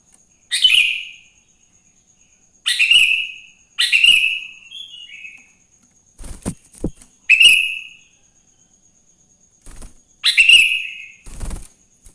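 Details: Morning song of a sooty-headed bulbul, offered as a lure to get other bulbuls singing: short, bright, bubbly whistled phrases repeated about every one to three seconds, with a few sharp knocks and clicks between them.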